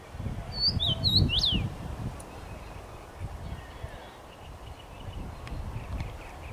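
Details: Common rosefinch singing in a tree on 23 May 2021: one short phrase of clear slurred whistles, the last note rising sharply then dropping, over steady low rumbling noise.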